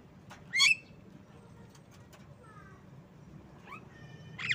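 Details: Javan myna (jalak kebo) song: a loud, sharp, rising whistled note, then a short pair of soft, thin whistles and two final upslurred notes, the last one loud and buzzy, over a quiet low background hum.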